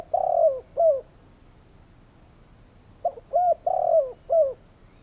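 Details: Calling spotted dove: the tail of one phrase, a long slurred coo and a short one, then after a pause a complete mellow phrase of short coos around a long wavering note.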